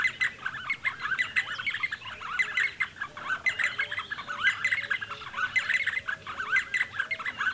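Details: Several D'Arnaud's barbets recorded near Lake Baringo give a continuous, rhythmic chatter of bright squeaky and clucking notes, overlapping without pause for the whole stretch, with soft lower notes underneath.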